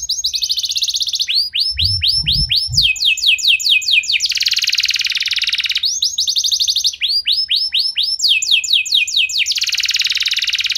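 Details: Lure song from a canary to make others sing, with alternating phrases: crisp rising-falling sweeps, steady rattling trills and dense buzzy bursts, repeated twice. Some soft low knocks are heard early on.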